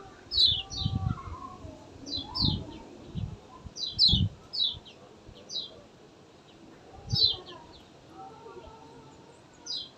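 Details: Lemon-bellied white-eye, kecial kuning, in lively song: short bursts of high, descending chirped notes in clusters every couple of seconds, over low thumping knocks and faint rural background noise.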